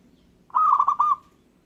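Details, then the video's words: Local zebra dove singing a lone phrase of rapid, rolling cooing notes, bubbly and level in pitch, with a brief gap before the drawn-out closing note; its song is said to make other birds respond. "Gara-gara Perkutut lokal ini, burung lain Langsung Nyaut dan Ngayer"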